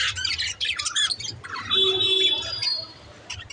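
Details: Pet budgerigar chirping: dense bursts of scratchy, buzzy chatter high in pitch, then a sustained thin whistled note with a faint low hum beneath, fading to quieter chatter at the end.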